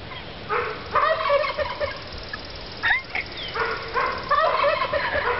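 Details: An escaped domestic turkey wandering in a yard gives rapid, rattling gobbles in three bursts, each about a second long, with a brief sweeping squeal between them, gobbling in response to a dog barking at it.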